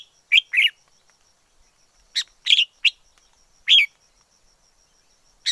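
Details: Wild red-whiskered bulbul singing: short bright whistled phrases of two to three notes, sharply rising and falling, given in bursts separated by pauses, with a faint steady high tone in the background.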